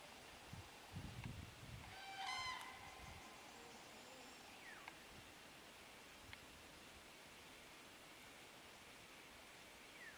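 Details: At Borki in July 2013, a common crane gives a single brief, loud rolling trumpet; a low wind-like rumble and a few faint thin calls from other birds fill the rest.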